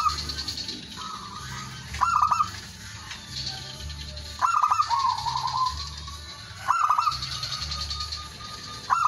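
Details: Cooing of a male zebra dove that calls out rivals and serves as a lure; quick stuttered notes break into a rippling trill, repeated roughly every two seconds, with a constant hum behind.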